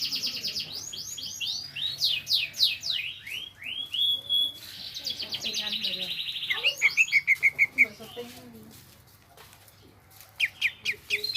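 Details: Dense, overlapping chattering of a greater green leafbird in gropyokan gacor style: sweeping buzzy trills blending together, followed by a quick series of clear chips and scattered bright notes near the end.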